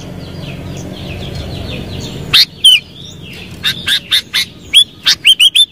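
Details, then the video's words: Kutilang or sooty-headed bulbul starting after a soft chatter of distant birds, then a lively string of loud liquid whistled notes, several in quick succession. "Suara Burung KUTILANG"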